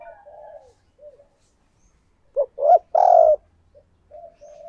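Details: Spotted dove kept as a decoy, cooing to bring in wild doves; low rolling murmurs, a pause, then three rising bursts ending in a long, loud hollow coo and soft trailing notes.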